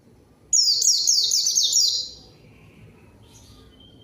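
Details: White-eye song used to lure and call a rival, making untrained birds respond: a single rapid run of high, repeated down-slurred chirps for about one and a half seconds, followed by faint soft twitters.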